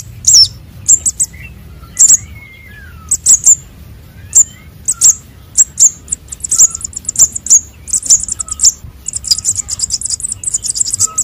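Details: Sunbird chick calls played to lure birds: thin, very high chirps repeated at a steady pace, thickening into fast runs toward the end, with occasional faint lower whistles of another bird behind.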